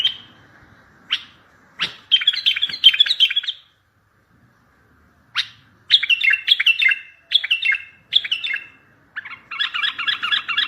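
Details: Strong bulbul song used to lure other bulbuls for trapping and to draw answers from distant birds: short bubbly phrases of falling warbled notes in bursts, separated by brief pauses, ending in a dense rapid chatter.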